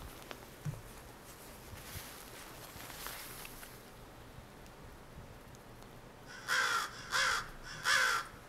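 An American crow gives three loud, harsh caws, each about half a second long and spaced under a second apart, after several seconds of quiet room sound.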